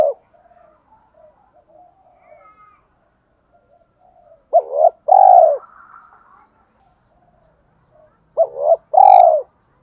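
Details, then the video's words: Cooing spotted dove, 'thổ pha đồng' voice, meant to provoke wild doves: two low phrases about four seconds apart, each a quick double note then a long mellow hoot. Faint soft calls and a brief high chirp are in the background. "tiếng chim cu gáy giọng thổ pha đồng, cu gay kich boi nhanh noi gù"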